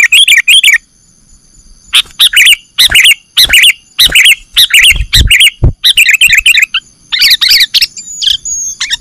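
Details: ['Lure recording of a sooty-headed bulbul for trapping birds: rapid chattering chirps repeat in short bursts after an opening flurry, with a few low thuds partway through.']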